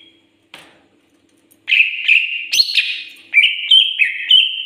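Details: Greater green leafbird in full song: after a faint opening note, a continuous stream of loud, bright whistled phrases that rise, fall and trill, with a faint low hum in the background.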